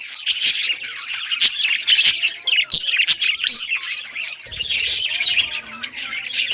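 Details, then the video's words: Budgerigars of rare colour varieties chirping during play with toys, June 18, 2023: a flock's steady high twittering with bright whistled squeaks, thinning toward the end while a low rumble appears. "Budgies all rare colors playing and chirping sounds playing with toys"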